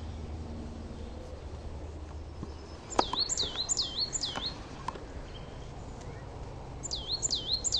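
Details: Coal tit in a garden singing a variation: high looping notes that dip and rise, a short burst of four, a pause with light pattering, then another burst of three.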